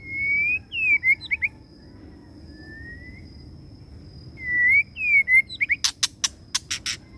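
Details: Caged one-year-old male white-rumped shama, in its first moult and in high spirits, Vietnam: clear rising whistled phrases broken by pauses, then a burst of sharp, clipped broadband notes at the end.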